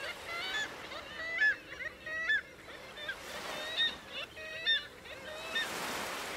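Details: Black-legged kittiwakes at the Bempton Cliffs colony, East Yorkshire, give nasal, wailing calls about once a second, many birds overlapping in a busy chorus over a steady hiss of surf and wind.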